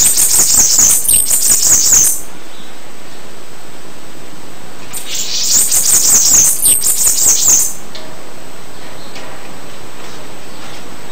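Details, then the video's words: Bananaquit song in two bursts of high, thin, wheezy twittering, each about two and a half seconds long and separated by a three-second pause, over faint steady hiss. "CANTO DA CAMBACICA"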